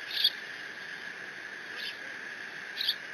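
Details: Bald eagle eaglet alone in the Decorah nest on June 30, 2017, mantling a fish its father just delivered. Three short, high, thin squeaks spaced about a second apart over a steady background hum.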